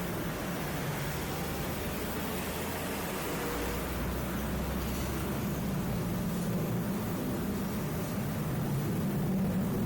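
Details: Continuous broadband roar of traffic or aircraft with a low droning hum throughout, and no animal calls heard.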